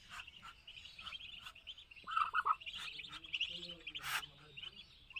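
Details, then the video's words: Muscovy duck chicks on a farm in Kamrup, Assam, giving a steady stream of thin, high peeps, with a brief lower rasping burst midway and a sharp click near the end. "Muscovy Duck Chicks in my Farm Kamrup Assam"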